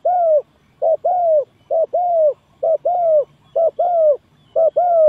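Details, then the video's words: Trapping lure of a spotted dove: a repeated two-part coo, brief first note and longer mellow second note, about five pairs in quick regular rhythm, with no other sounds. "Very Good Trap dove"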